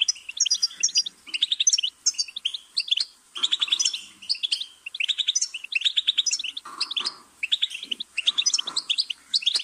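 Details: Goldfinch twittering steadily in lively, bell-like phrases of quick high notes, broken by short pauses every few seconds, with occasional soft, lower chatter beneath.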